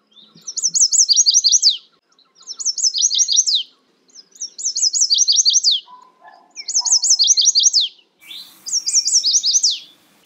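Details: Chestnut-sided warbler singing: high, sweet phrases of repeated slurred notes ending in a sharp downslurred flourish, about 1.5 seconds each, repeated roughly every two seconds, five songs in a row with faint low background sounds.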